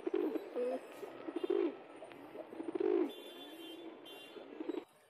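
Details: Pigeons, a domestic pigeon among wild pigeons, give low, soft cooing notes in short bursts, several birds overlapping, with a faint background hum of traffic.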